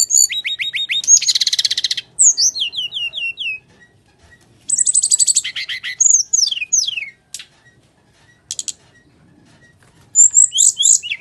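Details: Energetic Bali myna fighting song offered as a lure to prompt silent birds: rapid series of high whistled notes, dense rattling trills and harsh bursts, descending slurred whistles in runs, separated by short pauses.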